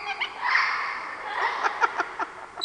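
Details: Several rescued parrots in a group enclosure at a parrot refuge in British Columbia, Canada, curious about visitors and copying people; harsh voiced squawks with rasping harmonics, then a run of short clipped chatter notes in quick succession.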